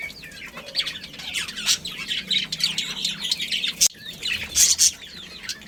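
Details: A pet budgerigar breeding pair produces steady busy warbling and chirping, with quick scratchy notes and a couple of louder sharp chirps toward the end.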